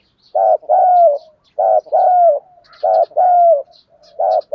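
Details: Decoy spotted dove singing its complete song loudly and clearly to draw in wild doves. Four evenly spaced double coos, each a brief note then a drawn-out phrase that slides downward.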